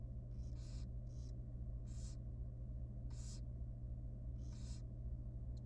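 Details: Very small, young wild barn owl nestling in a monitored nest box at feeding time, giving harsh hissing, snore-like begging bursts about every half to one second, with a steady low electrical hum throughout.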